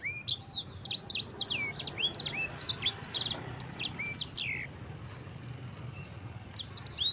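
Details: Yellow-fronted canary song used as a training recording for other cage birds: rapid bursts of high, sweeping whistled notes and trills, rising and falling, in short phrases separated by brief pauses, with a faint low hum beneath.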